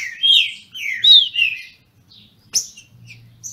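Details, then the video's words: Caged Brazilian thrush (trinca-ferro) singing in a contest, kept by a registered amateur breeder in Brazil: rich whistled phrases sliding between rising and falling notes, then a sharp click and a few soft high notes. "Trinca ferro disputando!!!"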